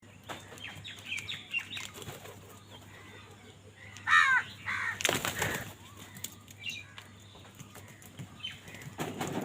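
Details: Crows fighting for food: a loud, harsh caw near the middle, followed a second later by a rough broadband burst, with softer chirps from small birds throughout and a steady low hum.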